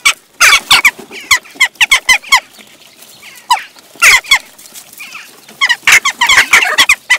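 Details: Western jackdaws squabbling at a bird feeding station in Recke, Germany, on 18 June 2021, a growing flock including young after the breeding season; sharp metallic chak calls in overlapping bursts, some rapid clusters, with short gaps between.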